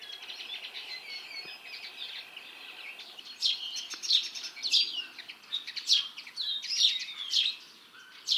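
Common Linnet song, a fast, varied twitter of high chirps and trills that grows louder and more energetic in the second half.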